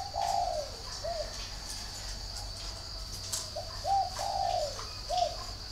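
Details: Spotted dove, locally cu gáy, giving song of the type called hậu: low, hollow coos with slightly rising then falling notes, delivered in short phrases across several seconds, over steady background hum and faint insect-like hiss.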